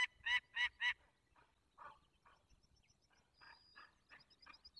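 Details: Barycz Valley, 24 April 2021, 8:20. A Peregrine falcon gives three loud, rasping notes in quick succession, followed by scattered fainter harsh notes. High, thin songbird chips sound in the background.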